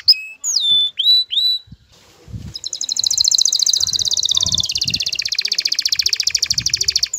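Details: Male canary courting a female, with her call included. A few clear, whistled, upslurred notes, then a long, rapid, buzzing trill with faint rustling.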